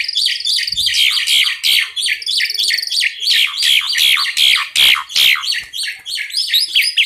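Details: Two pied mynas in full song. They give a nonstop torrent of loud, harsh, chattering and wheezy notes mixed with shrill whistles, delivered in quick pulses several times a second.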